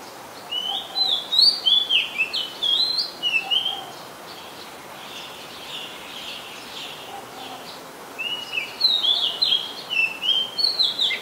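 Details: Oriental magpie-robin, a very common resident, singing at Ubon Ratchathani, Thailand, on 2 July 2022, recorded with a Nikon P1000: two bursts of bright, varied whistled phrases with quick slurred and rising notes, separated by a quiet pause.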